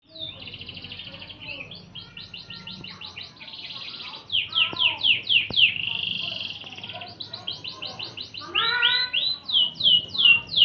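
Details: Canary song used as a master recording for training magpie-robins: long rapid trills of repeated downward-sweeping notes, bright rolling phrases and sharp chirps, changing speed between sections, with a faint low hum beneath.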